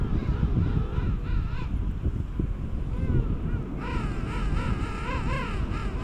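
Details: King penguins during courtship and mating on South Georgia in January give wavering, trumpeting calls in rising and falling bursts, louder in the second half, over heavy wind rumble.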